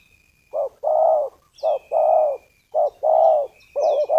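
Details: Decoy spotted dove calling to lure wild doves for snare trapping: low mellow coos in repeated phrases, each a short note followed by a longer rolling coo, with a thin steady high tone and faint chirps behind.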